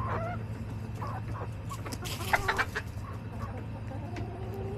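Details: Backyard hens on a daily chicken camera, July 18, 2024: short harmonic clucks and squawks in the first seconds, then a louder burst of clucking near the middle, over steady low hum and yard noise.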